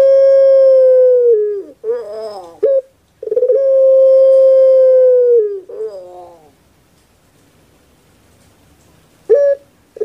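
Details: Domestic puter pelung dove from Java with two phrases of long even cooing that slide into a harmonic rolling growl and a clipped note, then several seconds of near quiet before a short note.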